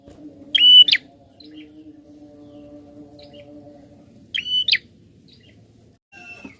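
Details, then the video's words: Prinia singing, used to stimulate other birds to sing: two loud, sharp, ringing bursts about three and a half seconds apart, each a quick clipped phrase, over a steady low hum. "Prenjak Gacor Ngotot Ampuh Rangsang Bunyi Burung Bahan"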